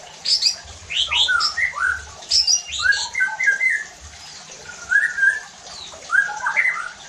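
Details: Shama song played to excite other white-rumped shamas into full singing; rapid mix of high sharp notes, slurred whistles and short twittering phrases with brief pauses.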